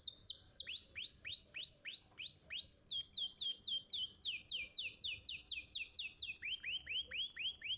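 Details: Young canary singing steady series of downward-slurred whistles, about four per second, shifting pitch between phrases, in clear varied rolls.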